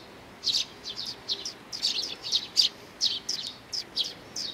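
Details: Sparrows of the Eurasian tree species gathering for food at Mizukami Bridge on 4 June 2020; a short run of bright, high chirps spaced about a quarter second apart after a quiet start.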